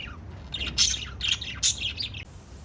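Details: Pet lovebirds chirping: a few sharp, bright high chirps and short squeaky bursts in quick succession, with faint low background hum.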